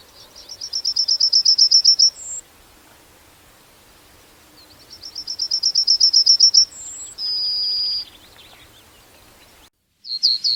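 A Yellowhammer sings a rapid, high chain of about a dozen thin notes ending in a drawn-out wheeze, repeated twice with a third phrase beginning.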